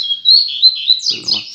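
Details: Double-collared seedeater at dawn giving a brief, loud, high warbled phrase of quick sliding notes, ending with a burst of sharper chirps and a faint murmur behind.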